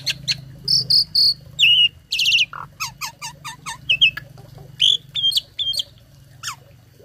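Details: Loud, mimicry-filled song from a tame captive starling, offered as a tutor for other songbirds: a varied sequence of whistled notes, harsh buzzy bursts and a string of quick downslurred chirps.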